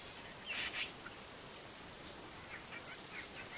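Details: A male Black-bellied Starling sings his usual song, a harsh, scratchy burst, then ends with thin, high chips and short whistles mimicking Brown-hooded Kingfisher and Fork-tailed Drongo over a hissing background.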